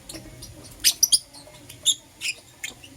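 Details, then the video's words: Brief, piercing high squeaks from Green Personata and Yellow Pastel Pied lovebirds in the morning, a close pair followed by three more spaced notes over a faint low hum. "Lovebird Chirping Sounds - Green Personata & Yellow Pastel Pied"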